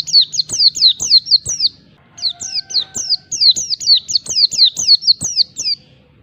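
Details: Oriental white-eye singing its wild-style ngalas song, aimed at rivals: two long bursts of rapid, high, downward-slurred whistled notes, about four per second, split by a short pause, over a faint low hum.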